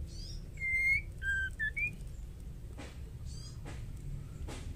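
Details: Female white-rumped shama singing, a sound used to provoke male shamas into singing: loud pure whistled notes, one long slightly rising whistle, then short lower whistles and a rising final note. Steady low hum and faint clicks follow.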